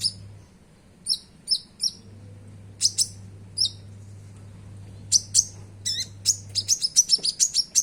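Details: Common iora (konin) in lively song with sogon-style phrases, played as a lure to set caged iora singing: sharp high chirps in pairs and triplets, then a fast rising run of bright notes near the end, over a low steady hum.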